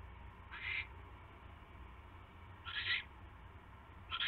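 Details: Owl at its nest on the evening of 29 January 2016 around a mouse delivery, giving three short, harsh hissing screeches spaced a couple of seconds apart over quiet background hum.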